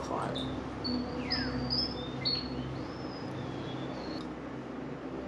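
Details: A Philippine pied fantail in the urban Davao Carbon Forest, Bago Gallera, Davao City, Philippines, gives thin, high, melodious metallic whistles, some short and sharp and some sliding, over a low hum and a faint voice.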